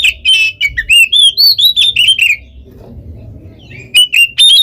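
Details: Oriental magpie-robin with a quick string of sweet whistled notes, then a low rumbling pause, then a few more bright notes; the singing is said to provoke other birds.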